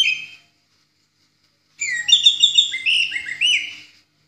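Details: Orange-headed thrush singing in the ngeplong style, a master recording for training other songbirds. A short whistled note, then a pause, then a loud two-second burst of rapid, varied whistles and slurred notes.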